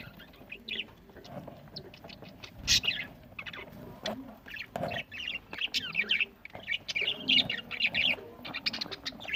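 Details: Pet budgerigars eating, recorded November 1, 2023 in Larkana, Sindh: a busy flock chatter of short high chirps and warbled twitters, overlapping irregularly, with faint clicks and low background noise.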